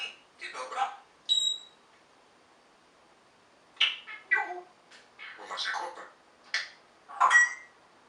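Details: An African grey parrot kept at home copies speech. It gives choppy talking syllables mixed with sharp, high, steady whistles, early on and again at the end, with a silent gap in the middle.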